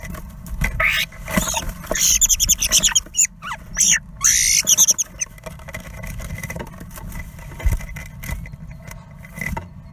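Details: Two male common starlings fighting inside a wooden nest box for ownership during mating season; harsh, scratchy squawks in bursts between two and five seconds, then softer scuffling and rustling in the box.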